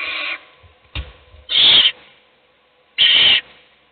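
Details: In a nest box an adult female owl feeds a chick as its siblings sleep; loud, breathy hissing screeches, three bursts under half a second long, with a brief click and rustle before the second.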